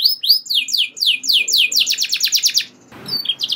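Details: Canary in full gacor song with long rolls that draw other canaries to sing; descending whistled sweeps speed up into a rapid rolling trill, then a short gap and renewed bright notes.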